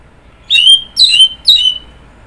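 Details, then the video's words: Orange-headed thrush singing three clear, high whistled notes about half a second apart, each sliding slightly downward, against quiet background. "Kicauan Burung Anis Merah"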